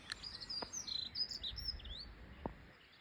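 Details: A nearby dunnock, perched just above, sings on an early 20 April morning at Flowersbrook, Isle of Wight: a rapid, high, scratchy warble of jumbled notes lasting a couple of seconds, with a couple of soft knocks and a low background rumble.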